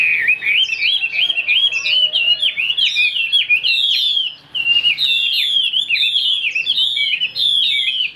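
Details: Kept Chinese hwamei delivering strong, high singing: a dense unbroken chain of bright slurred whistles, each phrase twisting up and down, with a brief pause near the middle.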